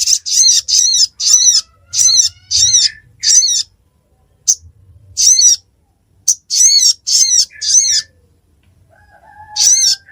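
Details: Ruby-cheeked sunbird in Pidie, Aceh, Indonesia: a steady series of shrill, buzzy, very high notes, each about a third of a second, given in bursts with short silent breaks.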